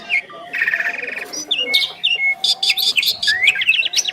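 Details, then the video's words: Two Asian pied starlings in duet: a buzzy trill, sharp whistles and choppy chattering, ending in a quick series of rising notes. "Jalak Suren Istimewa | Duet 2 Burung Juara"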